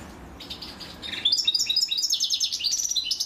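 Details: European goldfinch female feeding her chicks, with the chicks begging: after a quiet start, a rapid stream of high, thin twittering notes runs at about three or four per second, getting denser and louder toward the end.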